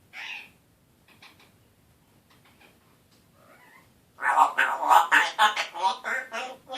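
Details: African grey parrot, a one-year-old male who has just begun to talk, his voice still scratchy; a brief raspy note, quiet faint sounds, then a loud burst of rough, scratchy, speech-like syllables.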